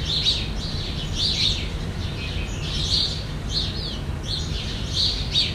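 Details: Jandaya parakeet calls from Brazil: loud, piercing screeches in bursts roughly every second, rising and falling harshly, with a low steady hum behind.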